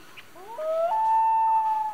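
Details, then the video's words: Rising, swooping start that levels into a long, even, mournful note; a single common loon wailing at night, with only a soft hiss behind it. "Relaxing Loon Call At Night, Common Loon Call"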